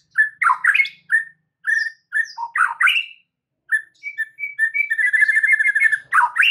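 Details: White-rumped shama singing as a lure to stir other shamas into song and add to their repertoire; loud clear whistles and slurred phrases in quick bursts, ending in a fast rolling trill of repeated notes.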